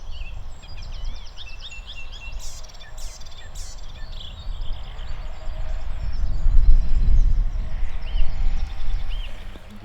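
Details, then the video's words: Icterine warbler in the alder-lined ditches of the Noardlike Fryske Wâlden, Friesland, sings a fast, varied string of high chattering and whistled phrases imitating other birds, fading into a steady low rumble of wind. "De spotvogel imiteert alles"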